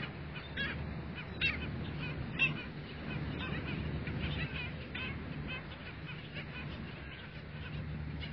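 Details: A colony of skimmers at a beach bird sanctuary at dawn gives short, nasal, barking yaps about once a second, overlapping in a busy chorus over a steady low rumble of surf or wind.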